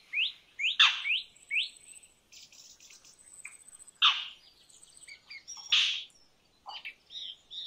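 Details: Three harsh, grating calls from an Indian roller spaced a second or two apart, with rising whistled notes and chatter of other birds around them.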